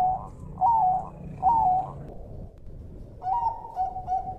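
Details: Zebra dove, Bangkok-type perkutut, singing on a training track. Three mellow double coos come less than a second apart. After a short pause, a rising note opens a run of quick, clipped, evenly pitched coos.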